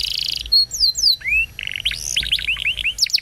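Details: Canary song for training young canaries: a fast trill gives way to sweeping whistled slurs, a rising glide, a brief rattling roll, then a string of quick upslurred chirps.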